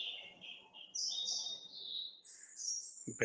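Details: Bluethroat (Luscinia svecica) in Sierra de Andújar Natural Park, Spain: an unstable song of high, thin, shifting phrases that break off and restart unevenly, over faint background noise.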